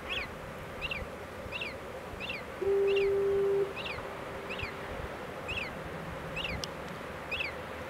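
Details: Common murres feeding: high, chirpy downslurred notes repeated about every 0.7 seconds over a steady low rumble, with one brief low horn-like tone.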